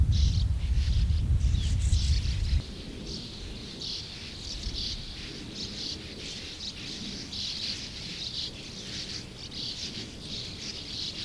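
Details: Over 100 sand martins at their colony, chattering continuously in busy, rasping twitters. A loud wind rumble covers the first few seconds, then drops away to leave the dense calling clear.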